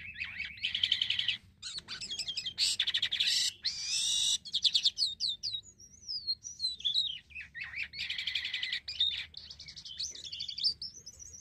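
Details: A black-winged myna (Acridotheres melanopterus) sings a long, busy song of chattering, sharp whistles and harsh scratchy notes, with rapid pitch shifts and only brief pauses, used as a lure sound for other birds.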